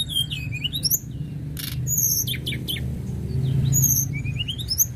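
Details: Tledekan gunung singing: rising and falling whistled phrases with a few sharp clicks, set against a loud continuous low rumble.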